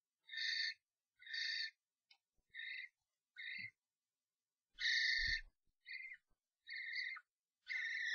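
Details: Fight among three common starlings in a nest box, a strange bird having entered a pair's box: short, harsh, buzzy screech bursts, roughly one per second, with an occasional soft thump.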